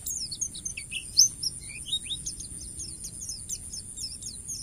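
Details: Wild white-eye song, a master recording for training cage birds: rapid high thin chirps and short whistled slurs tumbling over one another, with a steady high hiss throughout.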